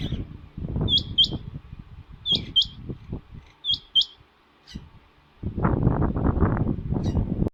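A female rain quail gives sharp, metallic double notes, three pairs about a second and a half apart, over low rumbling and a burst of wind noise near the end.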